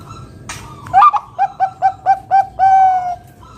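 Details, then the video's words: Bangkok-type zebra dove with a loud, booming song, used to coax other doves into singing: a rising first coo, five evenly spaced short coos, then a long steady final note, with a brief rustle beforehand. "Perkutut Bangkok gacor Suara KUNG BESAR"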